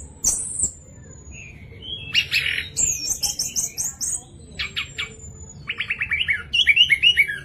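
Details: Orange-headed thrush song used to provoke other thrushes into singing; varied high whistled phrases, sweeping slurs and rapid repeated chattering notes in bursts, clean with little background noise.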